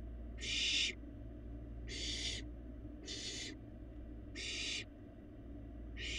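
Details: Young barn owl feeding in an empty nest box, filmed by a live nest cam in Florida; five loud, rasping hiss-screeches, each about half a second long, repeated roughly every second over a low background hum.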